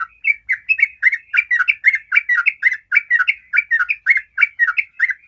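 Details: Continuous ropel song of a sooty-headed bulbul, a lure meant to prompt other bulbuls to sing: a dense, unbroken stream of quick, warbled chirping notes, several per second, clear and loud throughout.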